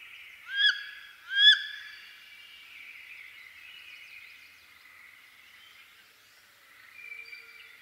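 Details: Wood duck, also called Carolina duck, of North America, giving two loud rising squealed whistles about a second apart, with a steady high hiss of background noise afterward and a faint later call.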